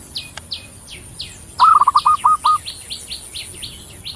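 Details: Javanese zebra dove delivering one purring song phrase of a rolled opening note and several short repeated coos, while another small bird chirps high and rapidly throughout, plus a thin constant whine.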